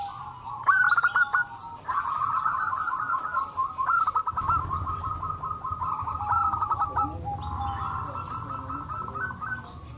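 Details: Several local zebra doves calling together and answering one another, used as a lure to get other doves to call: rapid staccato cooing notes run into bubbling trills, with overlapping birds keeping the chorus going almost without pause.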